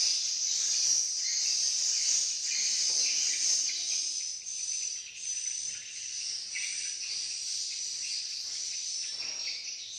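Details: A crowd of swiftlets in Malaysia gives a constant shrill, chattering twitter of rapid overlapping chirps, dense and high-pitched, fading slightly in the middle before steadying again.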